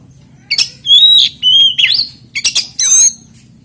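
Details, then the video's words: Kacer lure song in nonstop 'ngeplay' style without chattering, played so other magpie-robins sing: a short sequence of loud whistled slurs, one note clearly wavering, over a faint low hum. "PANCINGAN KACER NGEPLAY ANTI NGRIWIK DIJAMIN KACER LAIN IKUT GACOR"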